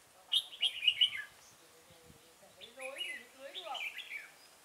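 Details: Red-whiskered bulbul singing at a decoy trapping site at Chùa Hương, Vietnam, on 5 March 2018. Loud rapid chirping notes come first, then a softer run of warbled phrases over lower sliding sounds.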